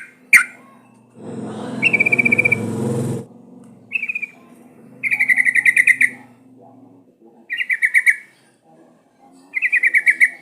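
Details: Sooty-headed bulbul singing, recorded as a lure to make caged bulbuls sing: short fast rattling trills repeated every two to three seconds, with a sharp click at the start and a burst of rustling noise early on.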